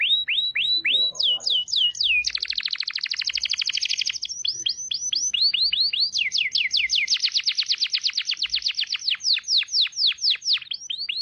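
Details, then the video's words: White-rumped shama singing in a clean training recording: series of rising whistled slurs repeated in quick succession, broken by a dense buzzy trill, then long runs of rapid upswept notes. "masteran burung murai batu lengkap suara jernih"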